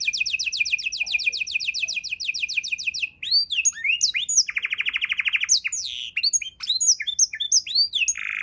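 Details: Canary singing a richly filled 'isian' song meant for tutoring songbirds: a long steady high trill of repeated notes, then arched whistles, a fast lower buzzy roll and bursts of varied chirps.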